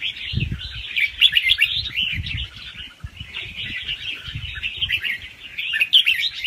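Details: Soft, fast-cycling song of a young wild red-whiskered bulbul with doubled notes, used to stimulate other birds. Chattering whistled phrases come in bursts with a brief lull in the middle, over repeated low thumps.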